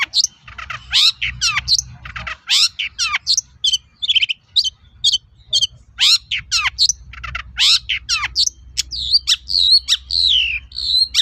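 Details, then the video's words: Dense, rambling long-tailed shrike song offered as a lure so other shrikes respond: continuous mix of scratchy chatters, sharp slurred whistles and buzzy notes, with a steady low hum behind. "SUARA BURUNG PENTET GACOR AMPUH UNTUK PANCINGAN CENDET LAIN AGAR NYAUT"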